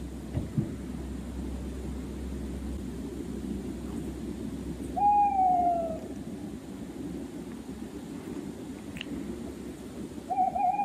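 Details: Tawny owl heard on a recording in a children's radio nature segment about owls; rumbling noise fills the background, with one sliding, falling hoot midway and another starting near the end.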